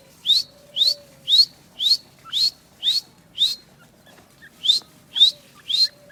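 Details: Grey francolin giving a steady run of loud, high, upward-slurred whistled notes, about two per second, with a short pause before the last three. A faint low hum runs underneath.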